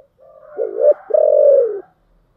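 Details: A single low, hollow phrase of spotted dove song in the 'giọng thổ' style: a wavering opening coo, a short pause, then a longer steady coo that fades, with a soft background hum.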